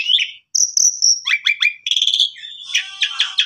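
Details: Jalak suren (Asian pied starling) master song for canaries: a short warble, a pause, a high sustained whistle, then clipped downslurred notes, a steady buzzy tone and closing harsh rattles.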